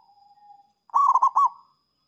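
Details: Zebra dove of local stock singing to attract rivals: a steady faint tone, then one short burst of quick, throaty, stuttering coos that trails off.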